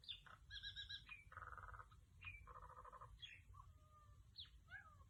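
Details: A female pet myna runs through a varied string of sounds: harsh buzzy bursts, nasal chatter, a sharp rising whistle and a long flat whistled note, over a low background rumble.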